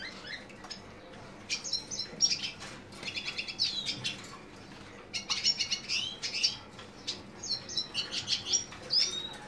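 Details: Lesser goldfinch, subspecies jouji, calling in bursts of high chirps and short buzzy trills, separated by pauses of about a second, against quiet background hiss.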